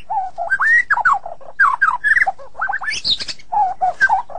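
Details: White-rumped shama, reported as sulking, singing rich slurred whistles that rise and fall, with a short burst of higher twittering in the middle.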